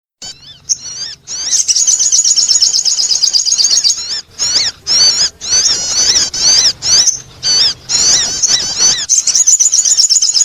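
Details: Sogon bird giving a loud, high-pitched, squeaky twittering, used as a sound to attract birds, in rapid bursts of chatter with brief pauses, about two phrases each second.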